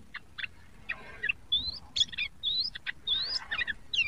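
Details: Juvenile yellow-vented bulbul practising its song, mixing short scratchy chips with several clear upslurred whistles that climb in pitch, delivered irregularly over low rumbling background noise.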